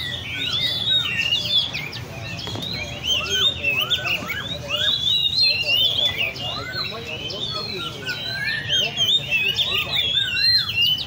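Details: A chorus of caged Oriental magpie-robins at a Lê Thị Riêng park bird cafe: continuous, jumbled whistled song with many short rising and falling notes, steady and busy, plus a dull murmur beneath.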